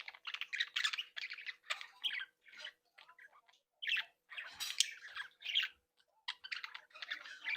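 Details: Captive Australian budgerigars of a breeding group, happily chattering and twittering: rapid warbled phrases mixed with harsher squawky notes, broken by short gaps.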